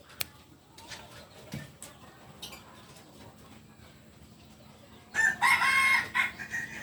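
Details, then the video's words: Kukuak Balenggek rooster, biriang kuniang type, purebred from Solok, West Sumatra: after quiet background with scattered clicks and faint chirps, a bright, strongly harmonic crow starts abruptly and runs in wavering pulses for over a second. "Ayam kukuak balenggek"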